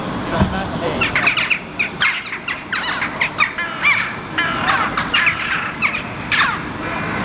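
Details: Two wild Eurasian jackdaws forage on the ground for grass seeds and turn over clumps of moss in Helsinki, Finland, in July 2015. They give short, harsh, squawking calls in irregular bursts, some rising and falling.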